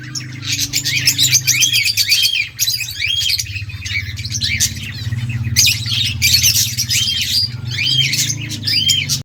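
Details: Rose-ringed parakeet eating green leaves; repeated loud arched squawking notes in bursts, harsh and nasal, over a steady low hum throughout.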